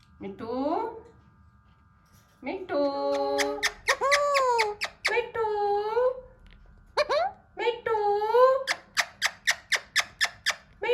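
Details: Hand-tame Alexandrine parakeet attempting speech, giving long wavering nasal squeals and bent whining notes, then ending in a fast, even series of clipped clicking squawks.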